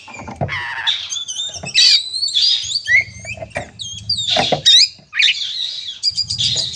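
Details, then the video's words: Oriental magpie-robin singing an aggressive fighting song meant to provoke rivals. Rapid varied whistles and slurred notes mix with harsh scratchy bursts and loud chattering phrases. A low steady hum runs beneath. "suara burung kacer gacor narung"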